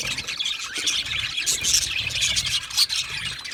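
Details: Happy budgerigars chattering together in a colony, a steady wash of high warbling chirps and squeals with a couple of brief clear whistles standing out.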